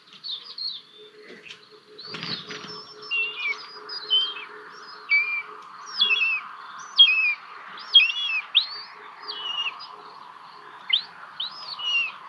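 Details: Common buzzard chicks begging at a nest in Hungary on 1 June 2022, as an adult delivers a small lizard that is swallowed quickly. Thin, high chirps with down-slurred tails come about once a second, after a brief early rustle of wings.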